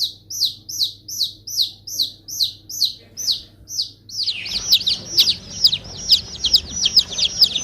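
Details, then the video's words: Baby chick calls: regular descending peeps about twice a second, then from midway a faster, busier run of overlapping high chirps over a rising rustle. "Baby Chicks Sound Effect"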